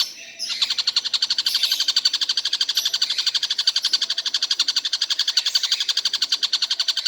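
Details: Tengkek buto calling nonstop through the day: after a brief quiet start, a high-pitched chattering run of clipped notes repeats about four times a second without a pause.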